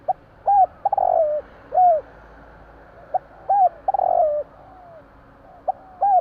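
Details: Night-time coo of a Javanese spotted dove. Soft clipped notes and arched coos alternate with a vibrating rolled coo, giving three similar phrases spaced over several seconds.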